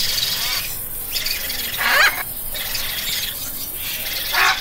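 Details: Parrot calling: harsh, broadband screeches, one loud burst near the middle and another at the end, over a steady hiss of background noise with softer chattering between.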